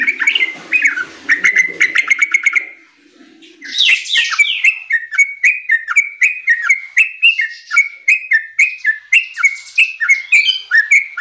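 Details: A young yellow-vented bulbul gives a bubbly run of short, bright chirps, each slurring downward, about three or four a second, with a few sharper squeaky notes mixed in.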